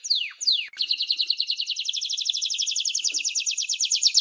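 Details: Canary song opening with two long downward-sliding whistles, then breaking into a fast, continuous rolling trill of high, evenly repeated notes.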